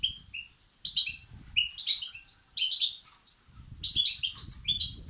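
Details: European goldfinch chicks begging for food, played to stimulate males; high twittering bursts of several rapid chirps each, with short pauses between, above a low background rumble.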